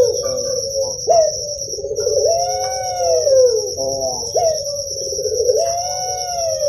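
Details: Puter pelung dove, a cage bird well known in Java, Indonesia, in sound used to stimulate young doves to sing: long, drawn-out cooing notes that swell and bend downward, broken by short rising hooks, over a constant high insect-like whine.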